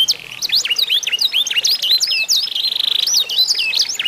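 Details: Canary, an Indonesian isian singer in a singing contest meant to prompt other canaries to sing: loud rapid high trills and sweeping whistled notes, rising and falling slurs, then a long steady buzzy trill, continuous and energetic.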